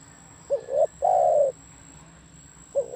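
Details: Spotted dove song phrase: a soft short note, an upward-sliding coo, and a long mellow falling coo, followed by the opening note of the next phrase after a pause.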